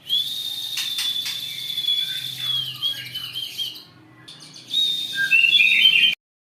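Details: Captive-bred white-rumped shama of Jawara stock, Indonesia, in long song bursts aimed at rival birds: a long steady high whistle, fading softer notes, then a lively flurry of bright twittering before stopping.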